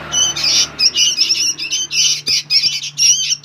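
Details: Loud, rasping squawks from noisy young sooty-headed bulbuls run almost without pause, pulsing in short rough bursts with thin whistled overtones and a faint low hum behind.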